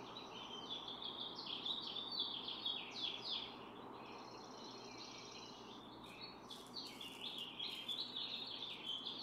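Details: Barn swallow during incubation of four eggs, one parent on the nest and the other watching nearby since incubation began June 6th; fast chattering twitters and squeaky clicks run almost nonstop, with a brief buzzy note midway.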